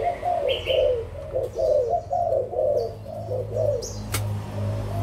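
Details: Low, rounded coos from adult Malaysian and Thai spotted doves, 16 March 2022, repeated roughly once a second in a steady run, with brief high chirps and one sharp click near the end.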